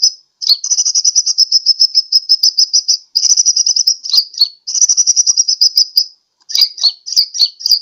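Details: Sunbird lure call for attracting birds, Sukabumi, Pajampangan: long, fast trills of sharp high ticking notes in runs of two to three seconds, broken by short gaps and ending in scattered quick chips.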